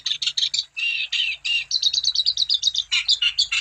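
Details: Energetic wambi singing, meant to stimulate other wambi birds into song: dense, rapid, twittering chatter with quick high trills in the middle and harsher notes near the end.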